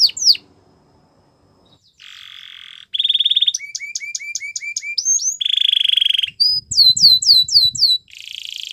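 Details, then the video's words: Yellow canary singing in the morning: varied phrases of high whistled notes repeated in quick series, buzzy flat bursts, and falling slurred chirps, switching pattern every second or so with near-silent gaps. "Yellow Canary Singing In The Morning"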